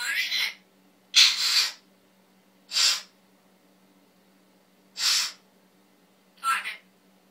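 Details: Pet male Timneh African grey parrot, taught to cough and known to cough a lot, makes five breathy, hissing cough-like bursts spaced irregularly over several seconds.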